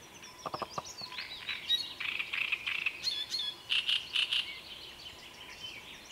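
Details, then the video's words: Great reed warbler singing loud, grating phrases of harsh, repeated chattering notes mixed with squeakier high notes, delivered in short bursts with brief pauses between. "Drosselrohrsänger Gesang"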